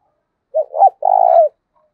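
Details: Spotted dove calling, used to train lure doves: a single phrase of two short low coos and a longer trembling coo, otherwise quiet.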